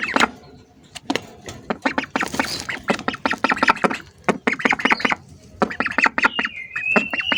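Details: Several hungry ducks close to the microphone quack in quick, clipped runs, now dense, now sparse, while a clear whistled note slides upward near the end.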